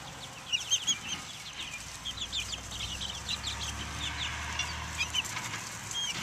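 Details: Young chickens of Buff Orpington, Black Australorp and Americana breeds out in the open air in 2010, many chicks giving high, short peeping chirps in overlapping bursts over a low steady hum.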